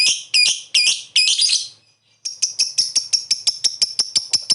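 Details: Lovebird lure call used to provoke replies, opening with a few harsh high squeaky notes, a short pause, then a fast even series of sharp shrill chattering notes about four per second.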